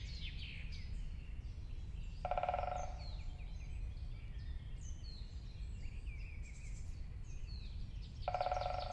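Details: Great spotted woodpecker drumming: two rolls of strikes so rapid they are hardly separable, each under a second long and about six seconds apart, over chirping songbirds and a low rumble.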